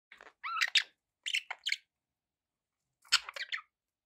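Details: Pet budgerigars chirping indoors: short bursts of warbled, scratchy chirps with quick rising and falling notes, clustered in groups with a pause of over a second before a final chattering burst.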